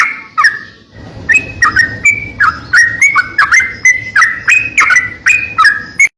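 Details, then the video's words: Greater green leafbird in full, vigorous song for songbird training. A lone whistle and a short gap, then a quickening run of clicking, whistled phrases that bend up and down, roughly three per second until an abrupt stop. "masteran burung crocokan gacor abis"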